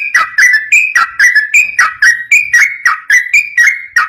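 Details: {'caption': 'Yellow-vented bulbul pouring out a fast, lively song to provoke replies from others of its kind: chirpy, warbling two-note whistles, slightly up-slurred, repeated roughly once a second.'}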